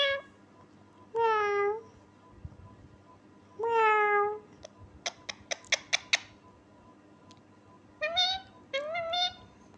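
A parrot mimics a cat's meow with drawn-out, harmonic mews and a burst of sharp clicks.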